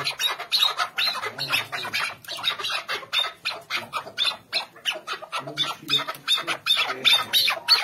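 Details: Chukar partridges calling together: a fast run of sharp, scratchy chuck notes, close to three per second, irregular and overlapping, with a brief pause midway before the chatter resumes.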